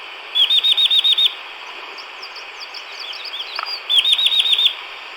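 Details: Wild Chestnut-vented Nuthatch in Chin State, Myanmar, a resident of montane evergreen and pine forests: two rapid series of about seven high, clear downslurred notes, separated by softer twittering, over a steady background hiss.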